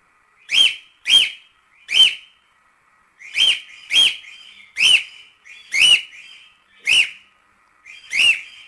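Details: Cockatiels singing a lot, meant for teaching a cockatiel to sing: a loud, bright rising-falling whistled note repeated ten times at irregular intervals of under a second, each with a rough, harsh edge.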